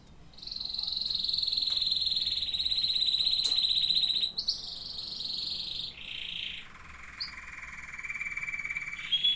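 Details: Canary song built from long sustained buzzy trills, first high and steady for about four seconds, then shifting through shorter phrases to a lower rolling trill, with a few faint clicks.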